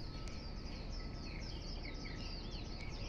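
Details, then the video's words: Birds singing in the early morning near a Hong Kong park, loud enough to wake a listener; a quick, irregular stream of high twittering and whistled chirps, about two or three notes a second, over steady low background noise. "Nagising Ako sa Huni NG mga Ibon"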